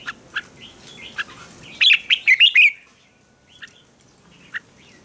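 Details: Red-whiskered bulbul fighting song meant to provoke rivals into singing: a single loud, rapid run of bright slurred whistles in the middle, flanked by soft scattered chirps and quiet pauses.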